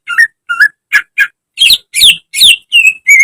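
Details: Lively greater green leafbird training song for caged birds. Nine loud notes follow at a steady beat: downward-slurred whistles, short buzzy chips, rough harsh bursts, then two clear sustained whistles to close.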